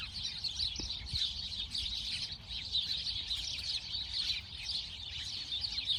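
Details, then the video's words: A busy chorus of sparrows gives many bright, high chirps overlapping without pause, with a faint low hum underneath. "Relaxing sparrow sound | relaxing bird sound | birds chirping sound"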